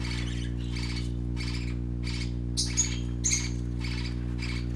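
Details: Young colorful parakeets at play repeat grating squawks at a fairly even pace, about one every three-quarters of a second, a few sharper notes near the middle, steady low hum in the background.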